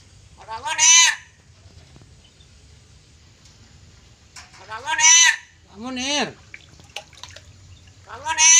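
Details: A pet black-capped lory (Lorius lory), trained to talk, mimics human words such as "halo" and a man's name in a few harsh, nasal, speech-like phrases several seconds apart, over a faint low hum.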